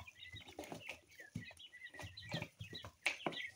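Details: Two-week-old domestic coturnix quail chicks in mixed colours chirp in quick bursts of thin high peeps, interrupted by several dull thumps and rustles of movement.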